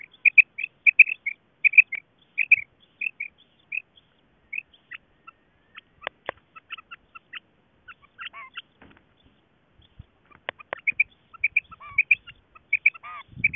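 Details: Calling female quail: quick runs of sharp doubled notes at the start, then a gap of scattered clicks and faint ticks, before the rapid paired notes return strongly near the end.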